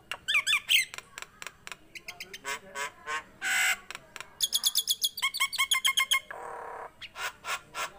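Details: Singing Nias hill myna, a tame bird, gives a varied run of warbled whistles, raspy squawks and fast clusters of bright, ringing notes, broken by a few hoarse, noisy bursts.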